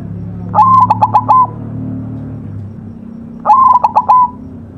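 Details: Two matching song phrases from a white zebra dove on a masteran recording, about three seconds apart, each a rising note, a run of quick staccato pulses and a level closing coo, with steady low droning behind.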